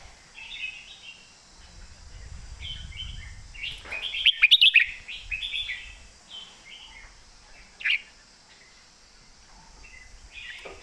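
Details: Caged red-whiskered bulbul in southern master song style, giving repeated short warbled whistled phrases, loudest mid-way with a rapid cluster of notes, then sparser phrases over low rumble.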